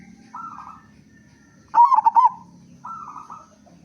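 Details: Local zebra dove with a strong voice, singing to lure other doves into song: softer coos either side of one loud phrase of rapid pulsed bubbling notes, over a low steady hum.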